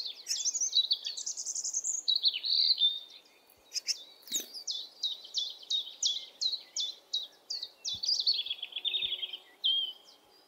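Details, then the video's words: Great tit fledgling call, a sound of April to the end of June: high, slurred notes give way to an evenly spaced run of short chips, closing with a falling buzzy phrase. "It is also worth distinguishing the sound of a young great tit, which we can hear from April to the end of June. The"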